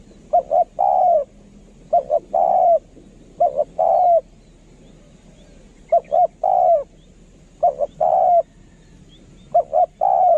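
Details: Spotted dove of a decoy line, calling as a lure bird in the eloquent kharom style: phrases of two short clipped coos and a longer falling croon, repeated at irregular intervals about two seconds apart over a faint low hum.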